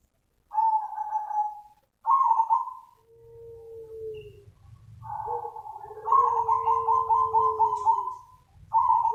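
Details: Zebra dove calling to lure other doves: soft, trilled cooing phrases, some rapidly pulsed, alternate with smooth, lower, drawn-out coos, phrases about two seconds long separated by short pauses, over a faint low hum.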